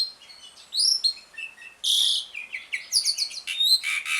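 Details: Asian pied starling in ngriwik style, a lure song meant to get silent birds of its kind singing again; varied high chirps, rising whistles and buzzy rasping notes in quick irregular bursts.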